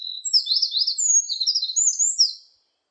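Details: Eurasian wren pouring out a quick, high jumble of trilled and whistled notes for about two and a half seconds, ending abruptly into silence.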